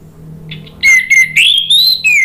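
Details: Orange-headed thrush singing, for prompting caged birds to sing: loud, clear whistled notes, including a long rising whistle, after a faint, softer start.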